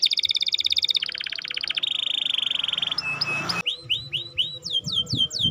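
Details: Canary song meant to stir a reluctant bird into singing, running through rapid rattling trills, a sustained buzzy roll, clear whistled notes, then repeated upswept chirps.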